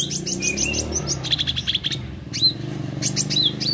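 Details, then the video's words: Meranti bird singing actively over noticeable low background noise. It gives scattered sharp chirps and short whistled slurs, a brief buzzy patch, then a few clear hooked notes. "Burung Meranti Gacor"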